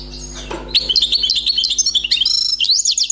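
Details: A wild-caught European goldfinch sings a continuous stream of bright, jangling twittered notes, quick and varied, after a brief soft sound at the start.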